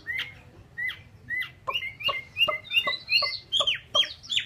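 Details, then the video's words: Chinese hwamei, a kept songbird, delivering separate sharp downslurred whistles, first spaced about half a second apart, then speeding into a fast, louder series of rising and falling notes. "chim họa mi"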